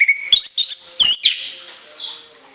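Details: Shrill orange-headed thrush song with long fill: a level whistle, then sharp rising and falling slurred notes in quick succession and a bright, ringing note, ending in a softer fading phrase.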